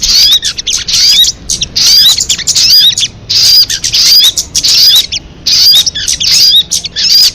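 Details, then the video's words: Crested jay: shrill bursts of chattering notes with upswept whistles, about one per second, grouped with short pauses. "Suara MP3 burung sogon kamade"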